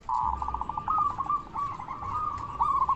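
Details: Local zebra dove with a loud voice, kept as a lure to set other zebra doves answering; steady run of soft, rapidly stuttered mid-pitched coos continuing for three seconds, fainter against low background rumble.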